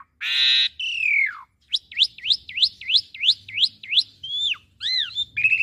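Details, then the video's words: Asian pied starling song played as a master for young birds to imitate: a rasping burst, a descending whistle, then a series of about nine sharp rising whistled notes, ending in downslurred and buzzy phrases. "Masteran Jalak Suren Muda Agar Cepat Masuk Materi Mudah Di Tiru"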